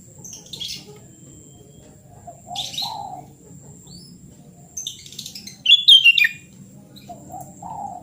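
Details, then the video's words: Lively sooty-headed bulbul song, meant to restart a bird that no longer sings: clipped chirpy phrases build into a richer, descending whistled flourish near the end, mixed with soft lower notes and steady faint hum. "KUTILANG GACOR SUARA ASLI ~ TERAPI KUTILANG MACET BUNYI"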